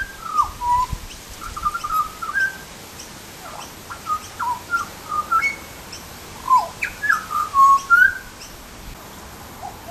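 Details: Butcherbird delivering a lively run of short, warbled whistled notes, rising and falling rapidly across about ten seconds in a quiet outdoor setting.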